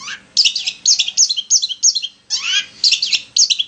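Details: Long-tailed shrike lure song: a rising note, then a series of sharp, twisting chirps repeated about every third of a second, a short pause, and more scratchy chirping.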